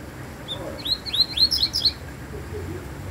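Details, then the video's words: Double-collared seedeater singing a quick run of high, upslurred whistled notes in a brief burst, each note rising sharply; low background hum and faint distant sounds. "papa capim diferente"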